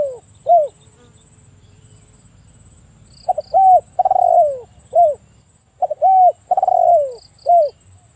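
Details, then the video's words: Spotted dove calling: soft low cooing notes in short groups, some drawn-out and falling, with pauses between phrases; a steady high insect-like whine runs throughout and a few faint high chirps appear. "The Best Spotted Dove Sound"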